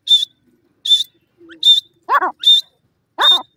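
Grey francolin chicks give thin, high, piping peeps, repeated about once a second, mixed with a few lower, rougher squeaks.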